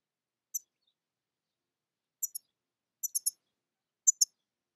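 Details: European goldfinch (Carduelis carduelis) uttering very high, sharp, clipped chirps, delivered singly, in pairs and in a quick triplet, with short silent gaps and a clean, quiet background.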